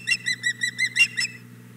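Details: Osprey female on the Hog Island Boathouse nest, 4 May 2017 around nine in the morning, begging after the male arrives with a fish; a rapid string of seven sharp whistled chirps, then quiet, with faint background hum.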